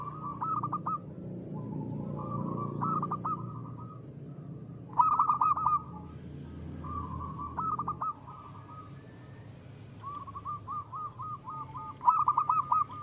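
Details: Local perkutut, the zebra dove, singing strongly in the 'ngristal' style used as a lure, repeats phrases of rapid clipped cooing notes every few seconds over a steady tone and low rumble.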